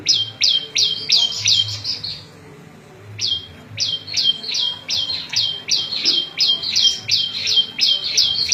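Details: Prenjak lumut, a small prinia, delivering a rapid series of buzzy, harsh double-toned notes, about three each second, pausing once midway; recorded for training cage birds and luring wild birds.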